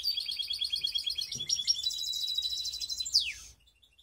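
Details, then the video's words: Canary hybrid in Skopje singing a long, continuous run of high trilled notes. The run gives way to a buzzy rolling stretch and closes with a quick, steep descending whistle. "Canary mixed best song"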